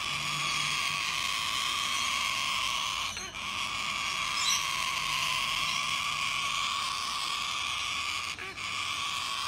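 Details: A young cockatoo in Epping, Australia, in 2019, throwing a tantrum outside a window for hours because it did not want to feed itself yet, gives long, harsh, rasping screeches running unbroken for several seconds, with two brief pauses, over a faint low hum.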